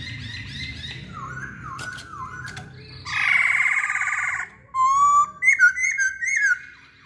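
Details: Masked laughingthrush in full song, used to spur other birds to sing: falling whistled slurs, a harsh grating burst lasting over a second, then sharp rising whistles and quick ringing notes.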